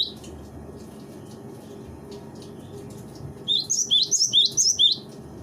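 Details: Cinereous tit song used as master training material for birds: after three seconds of faint low hum, a lively run of high, sharp, repeated whistled notes in quick succession, about seven to eight phrases.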